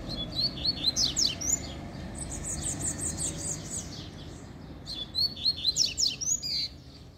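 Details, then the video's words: Coleiro, one of two found singing on a walk, delivering fast strings of high, clipped notes in two main bursts, with rapid repeated elements and a quieter stretch between, steady background noise beneath. "Encontramos 2 Coleiros Cantando!!!"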